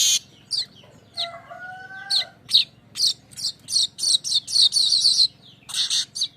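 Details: Streaked weaver song used as a lure to attract birds: a few low whistled tones with a rising overtone, then a run of short dry chattering notes about twice a second, ending in a buzzy sizzle.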